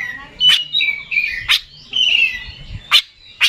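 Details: Kept Oriental magpie-robin, a popular Indonesian contest songbird, singing in the energetic 'gacor ngeplay konslet' style: drawn-out wavering whistles interrupted by loud sharp clicks or knocks about once a second.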